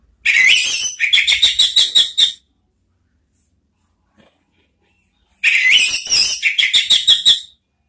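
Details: Orange-headed thrush training song in two loud bursts, each about two seconds of harsh, scratchy chatter mixed with bright whistled notes, separated by three seconds of silence.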